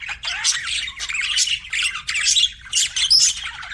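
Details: Budgerigars kept as pets chirping: dense, scratchy warbled chatter with squawky notes in uneven bursts, several birds overlapping, brief gaps between phrases.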